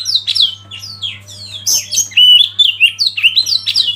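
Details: Oriental magpie-robin used as a lead bird to get others singing: repeated sweeping whistles and sharp chips building into a louder, dense sequence of varied, slurred notes.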